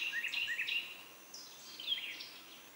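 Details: Northern cardinal nestlings being fed a large green caterpillar by their mother give a quick cluster of thin, high chirps, a burst at the start and another near the end, over quiet outdoor hiss.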